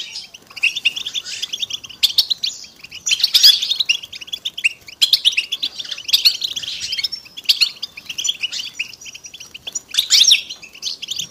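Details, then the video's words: Group song of European goldfinches, mating and readiness calls played to encourage silent males to sing; dense, unbroken twittering and tinkling chirps from several birds, rising into louder bursts about every one to two seconds. "بتبتة وستستة الحسون علاج صمت الحسون بتبتة حسون جماعية تساعد على التغريد"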